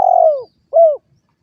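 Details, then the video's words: Spotted dove (derkuku) cooing: a long falling coo followed by a shorter arched note, clear and close with no other sounds. "suara burung derkuku"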